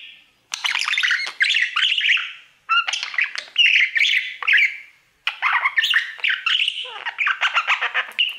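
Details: Budgerigar kept as a pet sings to its mirror all day; this stretch holds three long bursts of harsh chirping, clicking and squeaky warbled notes, with short gaps between them, a lone bird in a quiet room.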